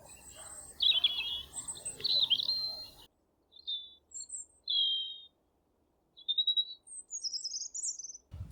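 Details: A European robin at the bottom of a meadow at Thurrock Thameside Nature Park sings high, thin, liquid phrases, each about a second long, with short pauses between them; a man speaks over the opening seconds.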